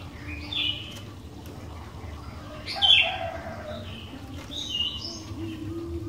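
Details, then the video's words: Sooty-headed bulbul singing to prompt other bulbuls into song: scattered short whistled chirps, one louder burst in the middle, set against steady low background noise. "Kicauan Kutilang Gacor DOOR, Jagonya Buat PANCINGAN, 100% Pasti Langsung BUNYI"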